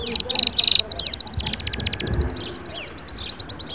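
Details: Canary song with bursts of buzzy notes, short repeated syllables and rising sweeps, over faint low rumbles and background noise.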